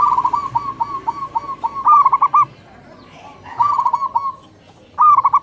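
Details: Zebra doves of the local type answering each other in the morning. A long run of quick, even trilled notes ends in a louder flourish, followed by a shorter reply phrase and a final bright burst.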